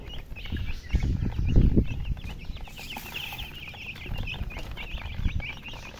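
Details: Baby chickens (chicks) chirping: a dense chorus of short, high peeping notes overlapping throughout, with heavy low thumping and handling noise beneath, loudest near the middle.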